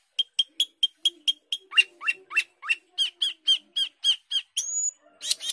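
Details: Asian glossy starling, a fruit-eating mimic of other birds, delivering a fast row of sharp ticking notes that turn into rising squeaks repeated steadily, closing with a thin high whistle and a harsh note.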